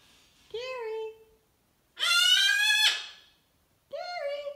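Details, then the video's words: Hormonal pet cockatoo throwing a temper tantrum makes a nasal, harmonic wail, then a loud, raspy screech, and ends on another drawn-out nasal cry. "Cockatoo Turbo having a hormonal temper tantrum"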